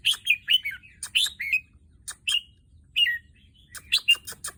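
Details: Just over a year old, this Red-whiskered bulbul, which has fathered both albino and pied chicks, delivers loud slurred whistles that drop in pitch, in short spaced phrases, with dry clicks in the background.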